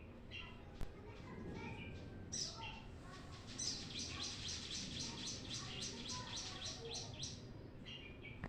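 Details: Brown-throated sunbird song meant as a training lure: scattered chirps build into a rapid run of high, clipped notes about four per second, with a few lower twitters and background hum.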